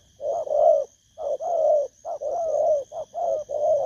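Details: Wild-caught spotted dove, Vietnam, August 2024, cooing in a quick continuous series of mellow, low notes with brief gaps, some notes longer and wavering. A constant thin high tone is present.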